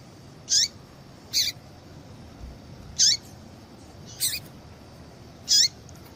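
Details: Female yellow-bellied seedeater calling to excite a male into singing: five crisp, high chips with down-slurred ends, roughly one per second, steady and repeated, over a quiet hum.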